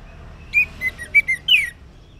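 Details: Orange-headed thrush singing ngeplong-style in the morning, used as a lure to prompt silent males to answer: a short phrase of five clear whistled notes, the last one louder and slurred downward.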